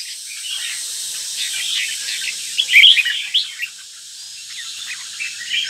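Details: Caged northern red-whiskered bulbul, described as 'lân tê mặt quỷ', at Ninh Binh, beginning its third moult; bright chattering song of rapid chirps and warbled notes, peaking in a loud burst midway, with faint steady hiss behind.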